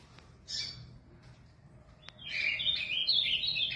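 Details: Azulão, a caged Ultramarine Grosbeak from São Paulo, gives a brief high note, pauses amid low hum and a click, then launches into a fast warbling phrase of tumbling whistled notes.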